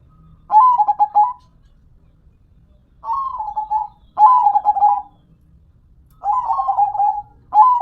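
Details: Local zebra dove in song: five loud, rapid, stuttering cooed phrases at uneven spacing, some close together, others separated by nearly two seconds of quiet.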